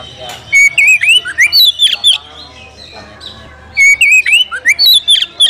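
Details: Kacer, the Oriental magpie-robin, giving a challenge call toward a rival; clear whistled notes with sweeping upward slurs and sharp clicks in quick runs, a quieter gap midway, then a second loud run.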